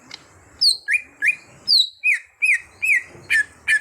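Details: Greater green leafbird kept in a cage and trained to sing freely: clear whistled notes, each rising then dropping, delivered about once a second with sharp high overtones.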